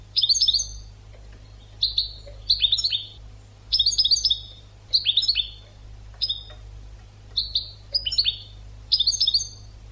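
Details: Tutor song of a European goldfinch, made for teaching other birds: bright tinkling phrases of rapid clustered notes, broken by short pauses, with single clear whistles in between and a quiet background.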